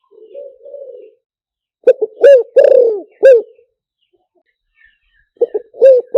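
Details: Spotted dove call used to lure birds over a speaker: faint soft cooing first, then a loud phrase of clipped stuttered coos ending in a longer falling croo, repeated after a short silence.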